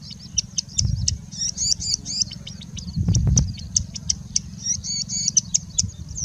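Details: Mimicking singing bushlark in India: a busy stream of high, twittering, looping notes, tight clusters broken by sharp single chips, with a low background rumble and two brief thumps.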